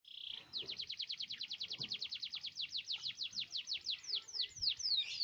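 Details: Canary singing a long rolling song, meant to lure other canaries into singing: a short tone, then a fast run of steeply falling whistled notes that slows toward the end, high-pitched and clean.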